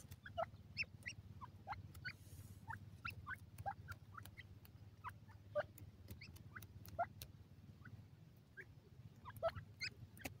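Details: Black francolin chicks in the wild eating green grass; a steady stream of thin rising peeps and chirps, several birds calling, with sharp pecking clicks scattered through and low rumbling background.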